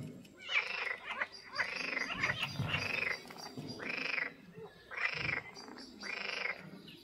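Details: Greylag goose in the Soča river mouth nature reserve, Slovenia, on 14 June 2024, gives harsh, nasal honks in short bursts, roughly one every second, with low background rumble.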